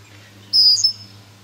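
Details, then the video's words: Female red-winged blackbird defending her nest by swan-diving at a person and cat in a yard: one strong, high, thin whistle, level then briefly wavering, over a low hum. "Red winged blackbird | attack | being swan dived by a mad bird!"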